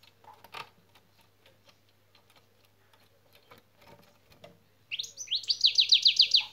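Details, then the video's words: European goldfinch in song training, giving its 'şak şak' phrase: after quiet clicks and room noise, a loud, regular series of about eight quick high notes, each falling sharply, delivered like rapid clock ticks. "saka kuşun da şak şak nedir öğrendik."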